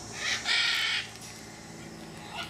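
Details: A newly paired blue-throated macaw, just out of quarantine, in a cage near its nest on a fine, quiet day, gives a short harsh squawk, then a raucous, grating half-second screech, followed by faint murmur.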